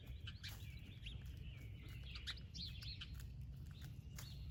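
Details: Baby chicks with their splash laced red Wyandotte broody hen at breakfast peep in soft, high, slurred notes, scattered and overlapping, against a steady low background hum.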